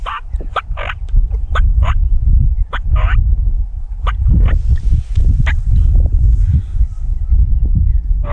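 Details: Wild turkey hens on Montana public land in hunting season giving short, raspy, yelping notes in loose runs, a few per second, over heavy low wind rumble and handling noise; one hen still in a tree.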